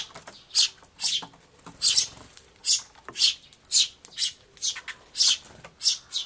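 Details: Young sparrow begging for food from adults in May, feeding beside its parent; harsh, high, hissing cheeps repeat about every half second, evenly spaced and loud.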